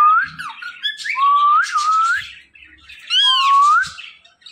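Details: A pair of pet talking parrots converse in sliding whistles that climb and dip, mixed with rough squawks. Two busy bursts are separated by a brief quiet gap.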